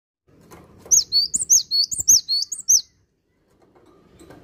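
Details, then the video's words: Cinereous tit singing a fast series of about ten high, sharp two-note whistled phrases over two seconds, each note sliding down then up, then falling quiet with faint low background rumble. "Gelatik Batu Asli Gacor"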